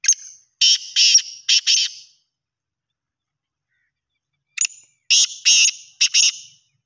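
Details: Black francolin in Pakistan calling twice, each a harsh, grating phrase of about five short, clipped notes, with a quiet gap of a few seconds between phrases.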